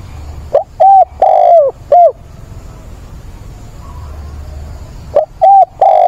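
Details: Spotted dove used as a decoy, calling for a mate with a mature voice on 17 September. Two bursts of hollow cooing, short notes around one longer sliding coo, separated by a few seconds of near silence.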